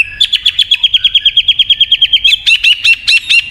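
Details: White-rumped shama singing, played to spur a silent bird to sing: a fast, even trill of high chipping notes lasting two seconds, then louder, slower whistled notes.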